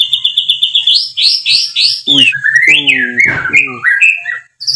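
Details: Stimulus song of a white-rumped shama for caged birds: a fast series of repeated high whistled notes, then loud swooping whistles, harsh downslurred notes and chatter.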